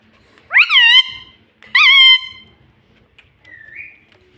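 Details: Indoor pet ringneck parrot uttering two loud, rising-then-falling voice-like squawks about a second apart, followed by a soft wavering whistle.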